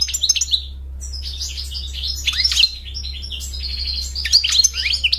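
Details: European goldfinch song: a dense, lively stream of high chirps, liquid twitters and downward-swept whistles, nearly continuous with one short pause near the start; low background hum present.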